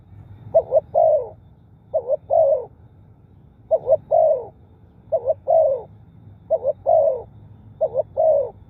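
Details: Spotted dove cooing, used to draw wild birds in quickly: low, hollow phrases of two short coos and a longer drawn-out coo, repeated about every one and a half seconds over a low hum.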